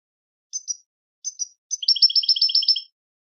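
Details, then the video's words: Goldfinch song opening with two paired high chirps separated by pauses, then breaking into a quick rhythmic run of alternating tinkling notes. "Motivational Techniques for Beautiful Melodies Your Goldfinch's"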